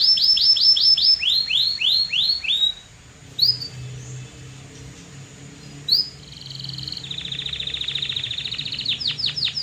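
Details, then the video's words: Singing canary: quick series of falling whistles, a pause with isolated chirps, then a steady level trill that speeds into rapid sweeping notes; faint low hum beneath. "REAL Canary Singing That Birds Love"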